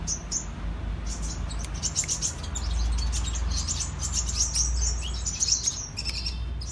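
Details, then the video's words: High, rapid sunbird twittering in the 'cetrekan' chatter style, thin chirps and trills running almost continuously, with a low rumbling background noise swelling through the middle. "Kicau Kolibri Raja KING KONIN Gacor cetrekan"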